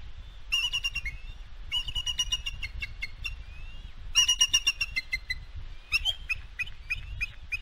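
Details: Female bald eagle at her West End nest, 4 July 2022, calling in victory after driving away an intruding fledgling that had knocked her eaglet off the nest. Bursts of squeaky, stuttering piping notes come in quick runs, with a low rumble of wind.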